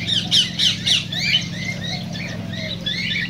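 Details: Cockatiels singing, a sound said to stimulate mating: several birds giving overlapping chirps, rising whistled slurs and short squawks, with a steady low mechanical hum throughout.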